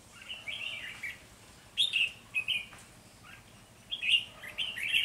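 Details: Decoy red-whiskered bulbul singing during early-season trapping of wild birds, 3 November 2020. Short, loud, warbling whistled phrases come in quick separate bursts, with faint low background hum.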